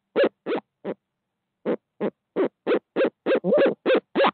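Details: Pair of barred owls at 5:45 am in Midtown Tulsa, the second having just arrived: short, low, clipped hoots, three quick ones, a one-second gap, then a steady run of about ten at roughly three per second.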